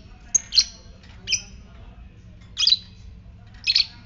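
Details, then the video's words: Fighter lovebird ngetik calling to spur other lovebirds into ngekek: four bursts of harsh, high chirps roughly a second apart, some doubled, over faint background hum. "Pancingan lovebird ngetik fighter merangsang ngekek"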